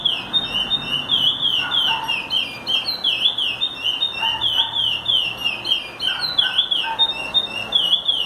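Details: Teaching song of a Chestnut-bellied seed finch, a steady stream of warbled whistles sliding up and down in rapid wavy phrases, with faint lower chirps from other birds in the background.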